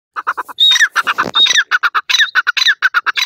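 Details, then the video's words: Pet francolin (teetar) calling during breeding: loud, harsh clipped notes fired in rapid bursts, several per second, broken by brief shrill rising whistled squeals; no other sounds. "teetar bird breeding,partridge voice"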